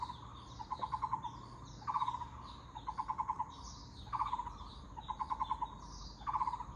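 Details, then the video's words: Repeated low, hollow, rapid note-bursts from a Taiwan barbet, each group of about five or six pulses roughly a second apart, alternating plain and accented openings; distant thin bird chirps and a soft low hum sit behind. "Muller’s Barbet 五色鳥"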